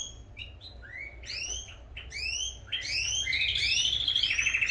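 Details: Singing canaries at full volume: a series of separate rising whistled sweeps, then stacked upslurred notes that build into a fast bright rolling trill toward the end.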